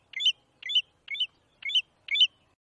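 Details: Five clipped, high-pitched chirps from an American golden plover in Brazil, evenly spaced roughly every half second, each note quick and bright against a quiet background.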